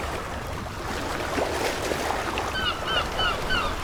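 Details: Gulls at a beach give a few short, nasal, slightly slurred calls in quick succession over a steady roar of surf.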